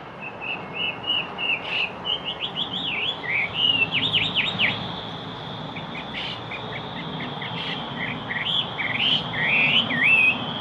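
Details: Yellow-breasted chat song: a varied jumble of whistles, quick slurred notes and chattering runs, with dense insect hiss and steady background noise.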